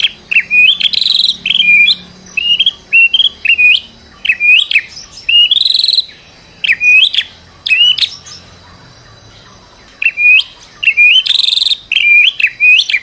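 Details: White-rumped shama, stressed, used as a lure to get another bird singing; repeated clear upslurred whistles in evenly spaced short phrases, with a pause midway before the series resumes.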